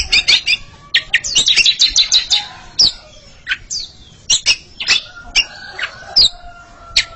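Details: Two Oriental magpie-robins compete in song, opening with a rapid run of clicking, chattering notes, then scattered sharp chips and short whistled slurs separated by pauses.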